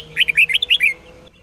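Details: Red-whiskered bulbul, Sông Kôn style, sung for daily bulbul training: a single rapid phrase of about eight liquid whistled notes rising and dipping, finished within a second, then quiet.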